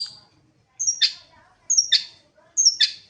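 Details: Long-tailed shrike (cendet) singing actively: sharp, high whistled notes that drop in pitch and end in a harsh buzzy burst, repeated about every 0.9 seconds, with a faint low background hum.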